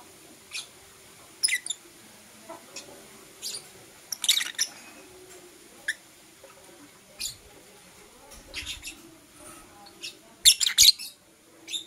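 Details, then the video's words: Blue Opaline and Euwing Opaline lovebirds in the morning, kissing; scattered sharp, high, buzzy chirps spaced irregularly a second or so apart, with a short rapid cluster near the end over a faint low hum. "LoveBird Kissing - Lovebird Chirping Sounds"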